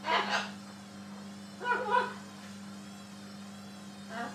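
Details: Talking macaw parrot, two breathy word-like utterances a second and a half apart and a softer third at the end, quiet against a steady indoor hum.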